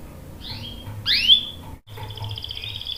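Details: Canary song in a rolling style, with a young male joining in and answering: sharp rising whistled sweeps followed by a steady high buzzy trill, over a faint low hum.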